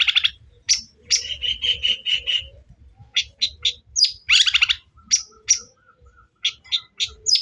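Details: Provoking lure song of a long-tailed shrike meant to stir up a rival: a run of buzzy rattled notes, then scattered sharp whistled chips and harsh chatters separated by brief silences.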